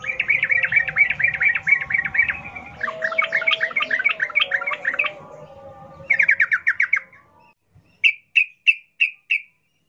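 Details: Wild sooty-headed bulbul in fast rolling forest-style song meant to prompt captive birds to sing: long runs of quick bubbly notes, a shorter burst, then a few separate sharp chirps spaced about half a second apart.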